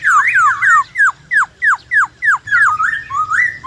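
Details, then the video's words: White-browed laughingthrush in 'forest voice' style, many-voiced song: a steady run of clear, downward-slurred whistles, about three each second, ending in rising, looping notes. "Khướu bạc má Hót Giọng Rừng Nhiều Giọng Cực hay"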